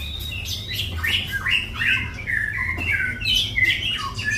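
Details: White-rumped shama full-isian master song: varied whistled notes and short slurred phrases delivered in quick succession, about three per second, each differently pitched, with a low background hum.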